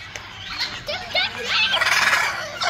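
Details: Macaw parrot giving harsh, raspy screeches and squealing bursts that grow louder and denser toward the end, over a busy background of chattering voices and other bird calls.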